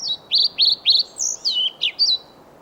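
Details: A male pied flycatcher in Sweden sings while a female listens, delivering one brisk phrase of about eight high notes: repeated two-part slurred 'zee-it' elements, then a few sharper falling and rising notes to finish.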